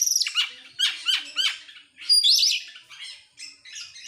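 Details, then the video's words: Oriental magpie-robin, excited and fanning its tail, gives down-slurred whistled notes in a rapid string, then a bright zigzag whistle and softer scratchy phrases trailing off, ending in a loud burst. "sekali dengar langsung EMOSI NGOBRA GACOR BUKA EKOR, burung kacer nembak,Kacer gacor"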